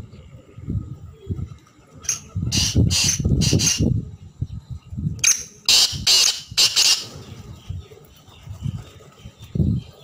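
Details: Two rasping call phrases of a black francolin, each of three to four harsh, buzzy notes, separated by a short gap, with low rumbling noise underneath.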